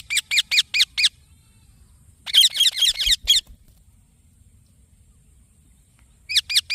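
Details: Young green parrot calling in quick trains of scratchy, downslurred chirps, a run of five, a denser burst after a silent gap, then more notes at the end.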